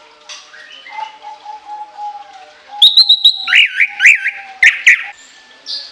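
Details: Orange-headed thrush singing long, high-pitched shrill notes with a lengthy fill: a low steady note series, then loud whistled phrases rising and falling in quick wavy loops, ending with a brief high whistle.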